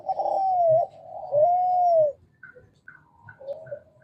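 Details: Male Kelantan-type spotted dove, an actively calling bird used to prompt reluctant doves to call, gives two drawn-out, mellow, smooth coos, followed by soft high chirps and a quieter low coo.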